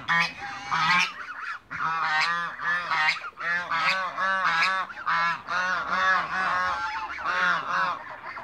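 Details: Adult and young African geese in a backyard, a flock honking continuously: repeated nasal, trumpeting honks about twice a second, many voices overlapping in a steady raucous chorus.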